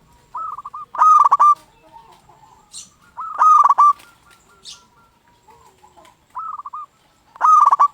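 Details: Local zebra dove in lively song, used to provoke other zebra doves to answer. Short soft coo runs lead straight into loud choppy stuttered bursts, and the pattern repeats about every three seconds, with faint hissing sounds between phrases.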